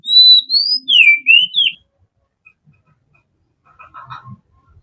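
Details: Oriental magpie-robin (Copsychus saularis) sings a relaxed morning phrase of rich, clear rising and falling whistles, then a pause and a faint low chatter near the end.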